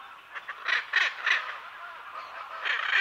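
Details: Hyacinth macaw pair calling amid other parrots and birds: a few short, harsh, croaking squawks in quick succession, followed by a quieter pause and a final rasping call.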